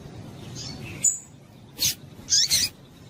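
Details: Female Yellow-bellied seedeater (papa-capim) calling to excite a male into singing: a few short, sharp, high chipping notes in quick bursts, one doubled, spaced irregularly over a quiet background.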